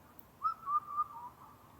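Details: . Indian cuckoo recorded at Karuizawa, Japan, a rare visitor there: one four-note whistled phrase, the first three notes level and clear, the last slightly lower and fading, over a quiet background.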